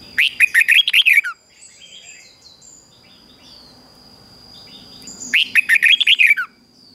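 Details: Morning song of a red-whiskered bulbul, a training recording to urge weak bulbuls to sing. Two energetic phrases of quick, wavering whistled notes come about five seconds apart, with soft chirps and a high steady tone in between.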